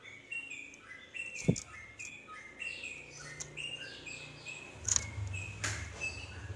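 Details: Yellow-vented bulbul song meant to lure other bulbuls, including reluctant singers, into replying with continuous 'ropel' singing; bubbly, fast-changing whistled phrases, rising and falling notes, with a sharp click and low rumble behind.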